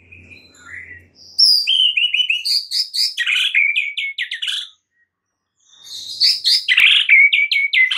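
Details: White-rumped shama song used as a lure to set a stressed shama singing. A loud, varied phrase of rapid whistles and trills moves between high and very high pitches, breaks off for about a second, then resumes with a long chattering run.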